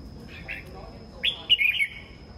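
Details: Morning song of a red-whiskered bulbul: a soft note, then a loud, bright whistled phrase of rising and falling warbled notes lasting about half a second.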